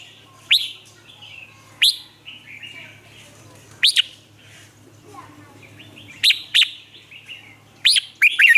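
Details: Red-whiskered bulbul lure bird in a cage, Vietnam, calling newly caught bulbuls to sing: sharp rising whistled notes, single or paired, with softer warbles between, over a steady low background hum.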